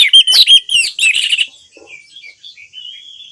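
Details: Orange-headed thrush song, used as therapy to get silent birds singing: a loud burst of varied, sharp whistled notes in the first one and a half seconds, then softer, thinner warbled phrases trailing off.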